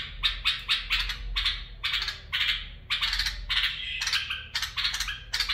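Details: Bulbul song in the barwaz and mafaraah styles, a rapid run of clipped, rich warbling notes about two per second, varied and slightly harsh, with steady low background hum.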